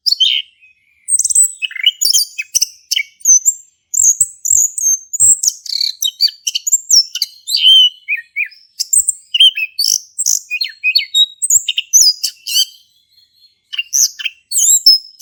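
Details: Male orange-headed thrush singing at length, used as a prompt for a silent thrush; long, rambling sequence of very high chirps, whistles and scratchy trills, broken by brief pauses.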